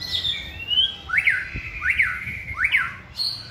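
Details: Shama under song training delivers a drawn-out rising whistle, then three loud sharp up-and-down notes spaced about three-quarters of a second apart, ending with a high steady tone.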